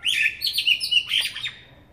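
A Eurasian blackbird sings a short, mellow fluted phrase of several warbled notes, ending in a thin, scratchy twitter that fades out.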